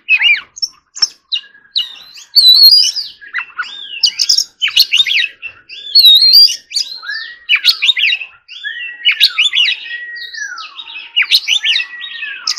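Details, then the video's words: Extended forest-voice training song by an Oriental magpie-robin: rich, continuous medley of whistles, chirps and sweeping downslurred notes, with some lower drawn-out glides midway, loud and nearly unbroken. "choè than hót giọng rừng"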